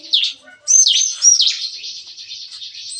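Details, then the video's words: Bar-winged prinia singing in the morning in an aviary at a breeding farm, its busy song described as "nembak-nembak", like shooting. A few loud swooping whistles lead into a buzzing, high trill. "Nembak-nembak! Kicauan CiKris Pagi Hari"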